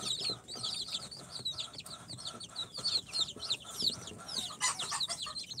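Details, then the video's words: A brood of incubator-hatched chicks at four days old, including Sultan, Golden Sebright, Cochin and booted breeds, chirps in steady rapid high peeps, sliding downward, with a brief rustle near the end. "Chicks hatched from the incubator- Day 4 - Tatlı Civcivler - Cute chicks"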